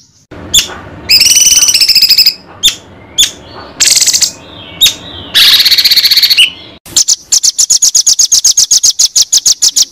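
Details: White-rumped shama tutor song used to train competition songbirds: varied phrases of buzzy high trills and sharp whistled notes separated by short gaps, ending in a long run of rapid, evenly spaced high chips.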